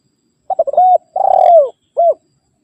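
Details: Spotted dove rival call used to lure wild birds: a quick stutter of short notes leading into a steady coo, then a pulsing coo that slides down at the end, and a final short arched note.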